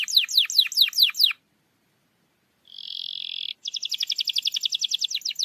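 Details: Canary song for coaxing a lazy canary into singing: a run of fast descending chirps, a pause, a flat buzzy trill, then a rapid even rattle of repeated high notes.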